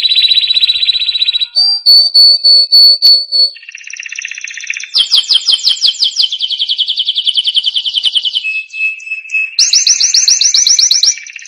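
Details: Canary song for tutoring young canaries, a varied sequence: a steady tone, low repeated notes under a high whistle, then rapid trills and sharp rising chirps, loud and continuous.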